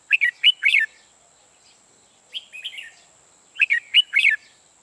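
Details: Red-whiskered bulbul serving as a trapping decoy sings cheerful, chattering whistled phrases of quick up-and-down notes, repeated three times with a softer middle phrase, over a faint continuous high whine.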